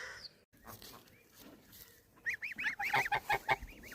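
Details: Young geese, goslings, giving a series of short, nasal, arched honks in the second half, about ten in quick succession after a quieter stretch with faint background noise.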